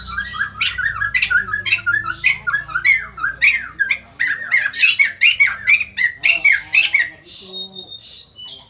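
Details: White-crested laughingthrush, a crested bird said to be singing loudly and prompting others to respond: a fast run of loud, harsh, squawking notes mixed with rising whistled phrases, repeated about twice a second, with a faint low hum underneath.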